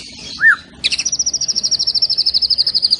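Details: White-rumped shama (murai batu) in full voice, a single arched whistle followed by a long, very fast, even high-pitched trill, part of a lavish fill-in song packed with 'tembakan' rapid-fire phrases.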